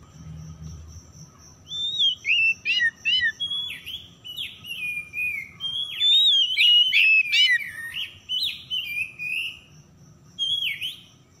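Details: Oriental magpie-robin (kacer) singing on a lure recording meant to prompt stressed, silent birds into steady song; loud whistled phrases, rising and falling slurs and short sweeps delivered in bursts, with a faint steady high tone and low hum behind.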